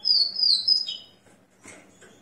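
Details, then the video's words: Rufous-collared sparrow song after moulting, recorded at 6 a.m. on 29 September 2021: a loud, clear high whistle, held then slurring downward, followed by a soft chirp. "Tico tico Spider cantando após muda de penas!"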